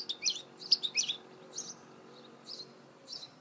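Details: Goldfinch hybrid (mule), 2018: a tight cluster of high, chirpy twitters is followed by scattered single high chip notes, evenly spaced against a soft background hum.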